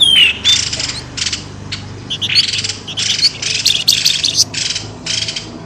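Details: Busy bird chatter meant to lure birds out of bushes: one falling whistle, then rapid clusters of high, scratchy chirps and squeaks with short gaps between them.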